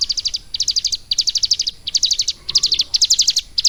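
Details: Caged ciblek gunung, a prinia, trained about three months to copy lovebird song, delivering fast high chattering phrases of five to eight sharp notes, each phrase separated by brief gaps, with a faint steady background hum.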